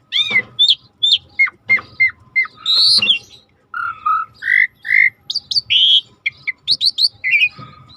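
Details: Starling in active song for a training recording: sharp downslurred whistles, harsh squawky notes and several mellow lower whistles in steady succession.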